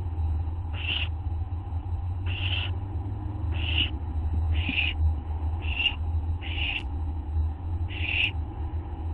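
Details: Owl group filmed by a live camera on the night of August 24, 2011: seven short, noisy hissing bursts at roughly even spacing over a steady low hum.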